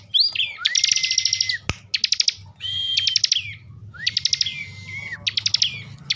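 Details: Agitated ngebren singing by a kept bar-winged prinia from Tegal, Central Java: rising then level whistled notes overlaid with dense rattling trills, alternating with quick stuttered bursts, plus one sharp click and a faint low hum.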